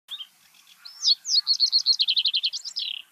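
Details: Common reed bunting singing in Uitgeest, the Netherlands, in 2023: one short, high phrase opening with a few separate chirps, then a quick run of repeated ticking notes, ending in a drawn-out, slightly falling note.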